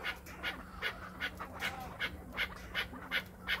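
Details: Kept chukar partridge from Krasnoyarsk calling on its owner's urging: a steady chain of about ten hoarse, clipped notes in three and a half seconds, over a faint electrical hum.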